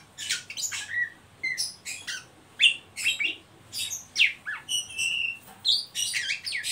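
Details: Oriental magpie-robin (Copsychus saularis) giving a ngeriwik twitter, used as a lure call, a fast, restless run of high chirps, sweeping whistles and harsh squeaky notes, several a second, with no other sounds.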